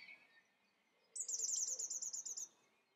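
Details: Thrush song phrase: a rapid high trill of about a dozen identical notes lasting over a second, after a soft faint note.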